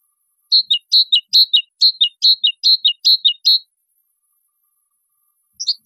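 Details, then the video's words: Great tit singing a fast, even series of two-note phrases, a high bright note dropping to a lower one, about eleven in three seconds, then silence and a brief closing fragment; no other sounds. "تغريد طائر الحداد"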